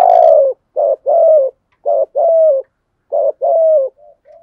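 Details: Spotted dove, 'thổ sấm' voice, cooing to draw wild doves into calling in rainy, windy weather: a long falling hoot, then three two-part phrases of warbled note and drawn-out hoot, trailing into faint short notes.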